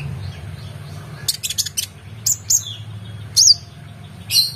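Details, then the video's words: Oriental magpie-robin singing for a competition-bird tutor recording: a brief cluster of buzzy notes followed by a few scattered high whistles, one with a rising-falling twist, over a steady low hum. "KONIN GACOR EMOSI FULL BONGKAR ISIAN MEWAH‼️Cocok Untuk Masteran Burung Lomba"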